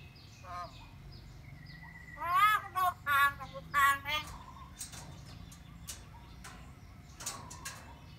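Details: Talking pet myna gives a loud burst of four speech-like syllables with rich, quavering harmonics, then quieter scattered clicks and short notes.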